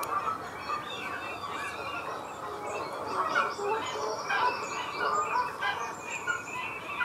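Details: Two Canada geese at the Disselmersch nature reserve, Lippborg, on 23 February 2019 at 07:30. They give a busy run of overlapping, irregular nasal honks and softer clucking notes over a steady background hiss.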